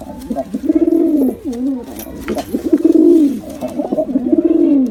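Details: Deep, rolling coos from male and female pigeons come in about four phrases, each swelling and then gliding down in pitch, close-up in a quiet room.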